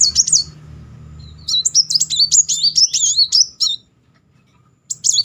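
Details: Brown-throated sunbird singing energetically, used as a lure to provoke a silent bird into singing: a rapid high, thin run of twisting, warbled chirps rolling on for about two seconds, with brief chirp bursts at start and end.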